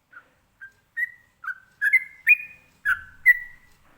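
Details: Sooty-headed bulbul, called trucukan, giving its ropelan song to prompt other birds to respond: nine whistled notes, quiet at first then louder and closer together, some slurring upward and some paired, ending on a drawn-out falling tone.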